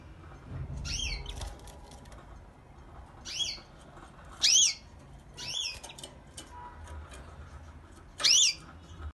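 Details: Canary singing in the morning: four short, separate bursts of high, bright chirps with quick up-and-down sweeping notes, spaced a couple of seconds apart over faint low background rumble.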